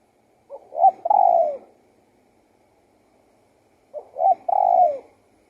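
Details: Spotted dove song, two mellow phrases a few seconds apart, each of quick lead-in notes and a drawn-out descending coo.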